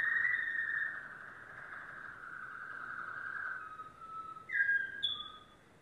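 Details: Domestic canary, yellow, giving a long slow descending whistled glide lasting several seconds, followed by a few short higher whistled notes.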